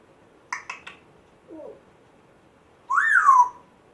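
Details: African grey parrot, one month after rescue, giving two quick clicks, a soft low squeak, then a loud rising-and-falling whistle.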